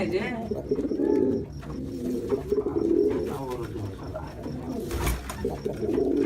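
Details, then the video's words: Jacobin pigeon in a small room, repeated low burbling coos in uneven phrases, broken by a brief loud rustle or thump near the end before the cooing resumes. "SOUND OF A JACOBIN PIGEON"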